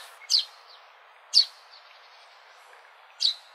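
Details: Three short, high sparrow chirps spaced over a few seconds, with faint softer notes between them against a low background hiss.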